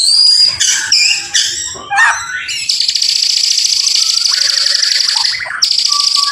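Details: White-rumped shama singing as a lure to prompt other shamas to answer: a few quick varied whistled and chattering notes, then a long, loud, harsh buzzing trill held for several seconds, with soft whistles beneath.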